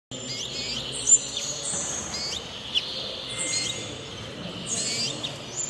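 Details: Goldfinch × house finch hybrid, a best-hybrid winner at a 2022 Malta songbird show, sings a fast, high twittering song of liquid trills and sharp chirps over a faint background murmur.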